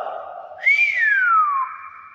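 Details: Hill myna producing a loud, pure whistle that leaps upward, then glides slowly downward before settling into a steady tone, preceded by a low hoarse sound.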